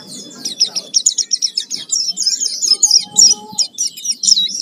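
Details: Pleci, the Oriental white-eye, in full 'gacor' lure song used to make other birds sing: a fast, unbroken string of thin, high chirps and trills, with a faint steady tone briefly beneath.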